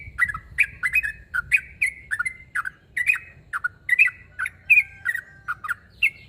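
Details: Yellow-vented bulbul (trucuk) challenging a rival with a steady series of short, gurgling, two-part chirps, some ending in a brief whistled tail, roughly two each second.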